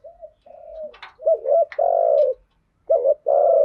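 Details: Spotted dove lure voice made to trigger singing in training birds. Faint drawn-out cooing opens, followed by a loud rolling double note, a long sustained coo, and one more coo after a pause.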